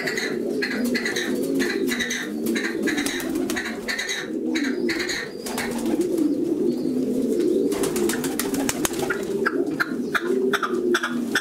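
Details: Singing male red-legged partridge giving repeated scratchy, chuffing bursts in a steady rhythm, pausing briefly midway, with a continuous low cooing hum underneath.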